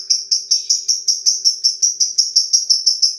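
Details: Lovebird in long 'ngetik' (typing) chatter, around sixteen loud, bright, high-pitched ticks repeated rapidly and evenly, like fast typing, with a faint low hum behind.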